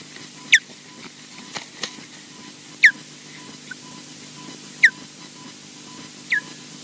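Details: Osprey pair at a nest at Loch Garten, Scotland, as the male lands on the female's back; four sharp, high, downward-slurred whistles spaced about two seconds apart over a steady low hum.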